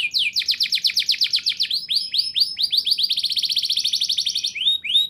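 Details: Canary singing actively in rolling, high-shooting style, a lure for young canaries: continuous fast pulsing trills, slowing into spaced downward-slurred whistles, then speeding up again before ending on two swooping notes.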